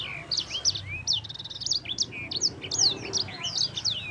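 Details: Yellow-fronted canary singing a long rolling song meant to prompt other birds to sing: rapid high slurred whistles, short sweeping notes and brief buzzy rattles run together in a continuous bright stream.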